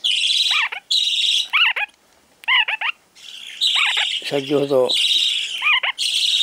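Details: Lively, rare lineolated parakeet newly arrived at a pet shop in Fukuoka, Japan, giving repeated chirping calls that bend downward, over a loud broadband hiss and a brief low buzzing rattle.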